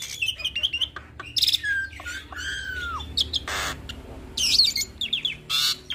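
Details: Hybrid starling singing a song full of copied phrases, a tutor for pied starlings and other songbirds; squeaky chirps, a long downward-curving whistle, and several loud harsh screeches.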